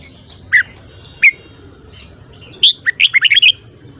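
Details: Red-whiskered bulbul singing in the morning: two separate single sharp notes, then a fast run of about seven rising and falling whistled notes, against a quiet low hum.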